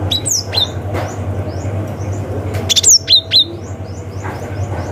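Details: Wild cinereous tit calling rivals, in a forest-style recording used as a lure for young wild birds: sharp, high downslurred chirps, scattered then clustered near the end, over a steady low hum.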